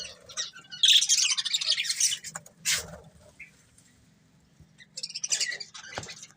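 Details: Budgerigars, a breeding pair, with a loud burst of scratchy chatter at the start, a harsh squawk, then near silence before more short chirps and squeaks.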